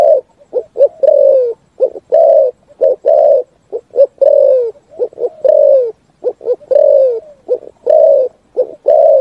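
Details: Spotted dove giving a full 'thúc gù' style song that echoes through forest: loud, low mellow coos, each phrase two or three short clipped notes and then a longer falling coo, repeated steadily with brief gaps.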